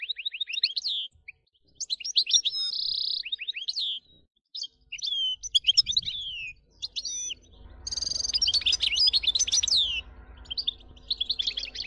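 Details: European goldfinch song meant to trigger nonstop singing in goldfinches: varied sweeping whistles, buzzy trills and chattering twitters in long phrases, with a low rumbling noise in the second half.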